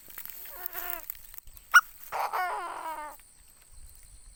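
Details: Caged Chinese francolin used as a decoy: a softer, grating phrase, a sharp click, then a louder rasping phrase of about one second with quavering notes, over light background noise.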